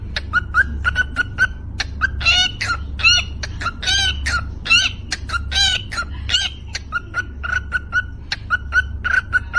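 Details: Pet cockatiel beatboxing: rapid percussive clicks and pops mixed with short whistled chirps around the mid range, irregular bursts over a steady low hum.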